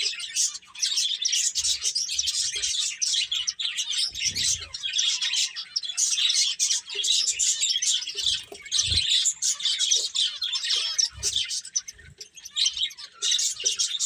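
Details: Several finches playing, a dense, unbroken chorus of high, thin chirps and twitters overlapping throughout, with occasional soft low thumps beneath.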